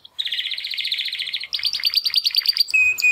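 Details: Young male Timbrado canary, one of two captive brothers born 2020, trying to sing after first molt; a fast dense rattling trill shifts into brighter rapid pulses, ending on a held whistle.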